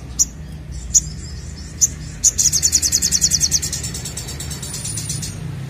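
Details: Ashy drongo, a lively singer used to stimulate other birds to sing: three spaced high chips lead into a long, rapid series of high pulsed notes that fade into a thin buzz, with a low background hum.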